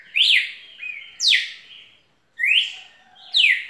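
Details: Red-cowled cardinal singing loud, rich whistled phrases. Each note is a bright slur that sweeps sharply downward. About four strong phrases come in under four seconds, with softer linking notes and a brief silent gap midway.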